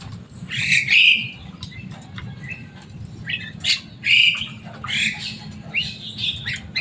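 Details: Javan myna kept as a talking pet bird, loud and noisy, giving spaced shrill rasping squawks and short high chirps with quiet gaps between them.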